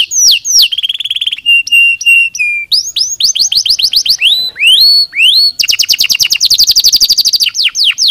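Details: Canary singing as a stimulus to get lazy birds to sing: a rich, varied run of high whistled sweeps, fast rattling trills and rapidly repeated bright notes, changing pattern every second or so, loud and clear throughout.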